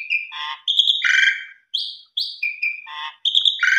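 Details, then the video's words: Asian pied starling song meant to draw other birds: mixed whistles, rasping buzzy notes and short rising slurs, delivered in clipped phrases separated by short silences. "Pancingan Suara Jalak Suren MATERI KUMPLIT Full Isian Mompa + Gacor Burung Lain Ikut Terpancing"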